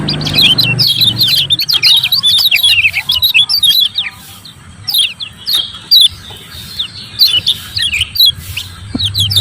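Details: Lemon-bellied white-eye, "ciak ciak" style, played to make lazy birds sing and to summon an opponent: clusters of sharp high chirps and short twitters separated by brief pauses, over faint low hum.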